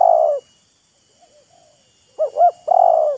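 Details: Spotted dove in a calling contest between a decoy and a wild bird: the tail of one long coo, soft distant coos, then a full phrase of two looping notes and a sustained lower coo.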